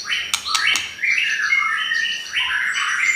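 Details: White-rumped shama song as a lure for other shamas: a few sharp clicks, then dense warbling whistled phrases with harsh squawk-like notes mixed in.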